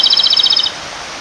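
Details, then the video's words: Trill from a male Japanese robin calling for a female at a clear stream. The fast run of high, ringing notes ends abruptly, leaving only the steady hiss of running water. "清流の妖精 コマドリのさえずり"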